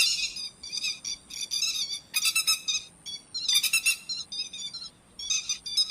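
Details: Grey-headed lapwing calls used as a lure for net trapping at night: dense bursts of sharp, high, harmonic chattering notes in clustered volleys separated by short pauses, with no other clear sounds.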